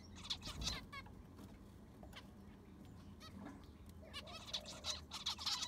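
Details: Caged zebra finches in an aviary being cleaned: scattered nasal beeps and a few rapid ticking notes, quieter in the middle, busier at the end, with a low mechanical drone beneath.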